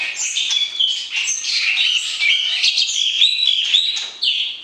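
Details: White-rumped shama song to stimulate the opposite sex before entering a breeding cage; a steady high stream of rapid whistled and twittering notes with a few clear sliding tones.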